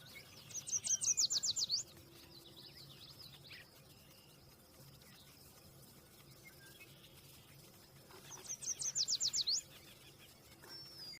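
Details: Yellow warbler (Setophaga petechia) singing two short, high bursts about seven seconds apart. Each is a quick run of bright, sweet notes lasting about a second and a half and ending in a slurred flourish, over faint steady background hiss.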